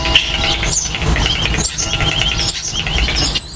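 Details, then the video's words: Common starling at the nest during nesting and nest building: warbling, wavering whistles with squeals and short rising notes, broken by brief pauses, over low background rumble. "Stare (Sturnidae) beim Nisten/Nestbau"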